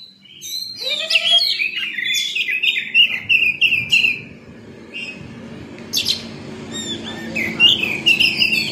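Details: An Oriental magpie-robin sings in the morning, responding quickly to being prompted: a fast, varied run of sweet whistles and scratchy chirps, rising and falling in quick bursts, over faint room hum.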